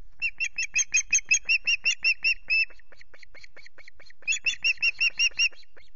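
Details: At the Loch Garten osprey nest on 5 July, with Asha, her chicks and Brodie bringing two fish, an osprey gives a rapid series of high, clipped whistled notes, about three a second, in two bursts with a brief pause between.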